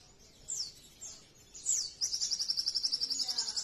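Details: Sogon bird song made as a master recording for training or luring other sogon birds, a rich 'nembak' style: high thin descending whistled slurs, then a fast even trill of sharp notes repeated about four times a second.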